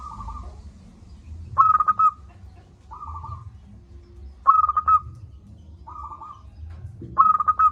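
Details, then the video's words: Local zebra dove, a loud, persistent singer used as a lure to get lazy doves calling: three strong stuttered phrases of four or five quick cooing notes, roughly every three seconds, alternating with softer level coos over a low rumble. "Perkutut lokal gacor suara besar - Masteran Ampuh Mengatasi perkutut Malas bunyi."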